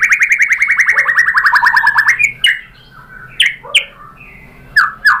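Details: White-rumped shama song used as a lure so other birds reply: a fast buzzy trill drifting slightly lower, followed by scattered sharp whistled notes and downslurs with short pauses.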